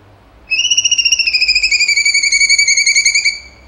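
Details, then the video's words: Cucak cungkok in rapid 'tembakan' song: a single long rattling trill of about twenty-five fast pulses lasting three seconds, its layered tones sliding gently downward. "CUNGKO GACOR TEMBAKAN HOT SUPER TEJEM"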